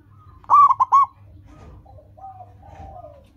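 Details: Local zebra dove (perkutut) used as a lure to train caged doves: one loud burst of three or four quick coos, followed by faint, soft trailing notes.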